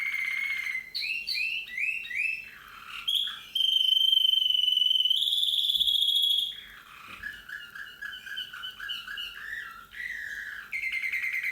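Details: Slavujar canary singing a varied song: rolling trills, a long steady whistled note held for about three seconds, then rapid lower chirping phrases and buzzy trills.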